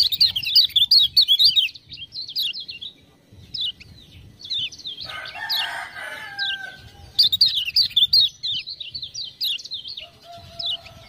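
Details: Lemon-bellied white-eye from Lombok, a tutor bird urged into full song by ciak-ciak calls; fast bursts of high squeaky chattering notes separated by pauses, with a short lower scratchy burst midway and low background rumble.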